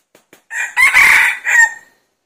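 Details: A single red junglefowl crow heard while a decoy draws in wild junglefowl: brassy, hoarse and loud, its strong middle section held before a short falling final syllable, preceded by two faint ticks.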